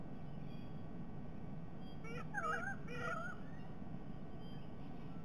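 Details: White-bellied sea eagles SE27 and SE28 at breakfast, Sydney Olympic Park, Australia, 22 October 2021: two short bursts of wavering, whining, high-pitched calls over about a second, against a steady low rumble of wind or background noise.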